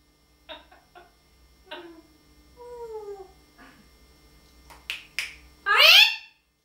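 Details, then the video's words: Talking parrot at home: a run of tongue clicks and ticking sounds, a falling whistled glide, more clicks, then a loud, harsh, rising screech to finish. "the incredible talking Parrot"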